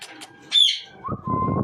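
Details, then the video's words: A macaw parrot gives a short, bright, falling whistle, followed by a lower, steady whistled tone over rough, noisy background sound. "Macaw Parrot 🐦😍| Whistling"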